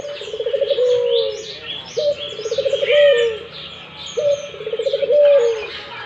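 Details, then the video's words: Steady, repeated coos of an actively calling Barbary dove, roughly every two seconds: a short lift, a rapid pulsing roll, then a falling drawn-out close, over constant chirping from other small birds. "burung puter gacor"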